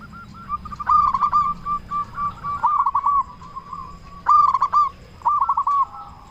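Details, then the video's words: Loud local zebra dove used to lure quiet doves into singing: two phrases, each a strong rolling burst followed by quick arched coos, linked by softer notes. "Perkutut Lokal Gacor Suara Besar Pancingan Burung Perkutut Bikin Langsung Nyaut"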